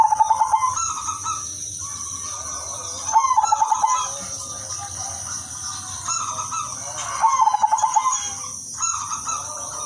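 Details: Melodious song of an udanmas silver zebra dove, sung to lure other doves: repeated rolling coos, each finishing in a stuttering burst of short beats, heard three times against a continuous high background hiss.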